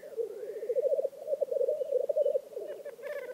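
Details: At a black grouse lek in Vinje, Telemark, Norway, the birds give a continuous low, bubbling coo that rolls on without pause, with a few faint higher notes near the end.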